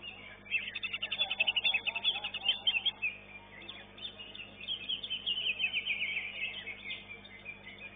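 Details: Greater green leafbird competing caged at an Indonesian singing contest, taking second place: a fast, buzzy trill of tightly repeated notes, then a brief pause and a flowing warble of whistled and chattering phrases, with other contest birds faintly audible.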